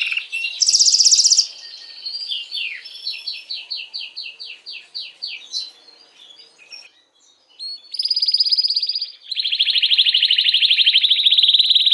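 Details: Male-style canary song for stimulating hens to breed: a short loud high buzz, then a run of repeated falling chirps, a pause of near silence, and a loud sustained rolling trill to the end.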